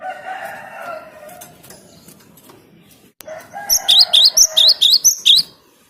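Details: Cinereous tit song, used to lure birds, rises out of a noisy, rumbling background: seven bright, high, upslurred two-part notes delivered quickly in a row near the end.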